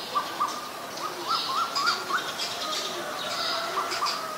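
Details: Asian koel giving repeated rising whistled notes in a quick series that swells in pitch and then falls back, against a wash of faint chirping from other birds.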